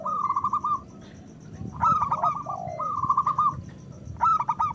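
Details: Local zebra dove chorus used to stir breeding desire and singing in other doves: fast trilled cooing phrases alternating with smooth descending coos, more than one bird, phrases about a second long, low hum beneath.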